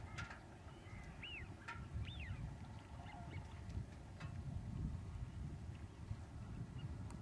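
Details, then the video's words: Common cranes at Lac du Der in February 2011, during a huge spring migration wave out of Spain: several arched, rising-then-falling trumpeting calls from the flock in the first seconds, over steady low wind rumble. "Grues cendrées au Lac du Der en février"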